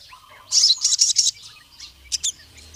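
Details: Crested jay calling to a rival male: a dense burst of four or five loud, buzzy, high rattling notes, then a few softer scattered chirps.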